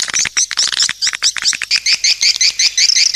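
Swiftlet lure call: rapid, high, buzzy chirps repeated about two or three per second in uneven bursts, with nothing else heard.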